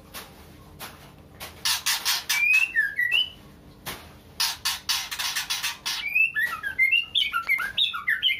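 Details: Female white-rumped shama in breeding condition calling to a male: clusters of harsh, broadband rasping bursts broken by short slurred whistles, ending in a quick jumble of bright rising and falling whistled notes.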